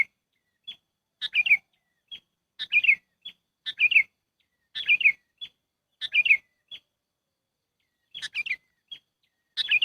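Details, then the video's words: Trapping lure of a sooty-headed bulbul: lively bubbling phrases of quick falling notes, separated by brief lone chirps, recurring roughly every one to two seconds across ten seconds against silence. "SUARA PIKAT BURUNG KUTILANG AMPUH"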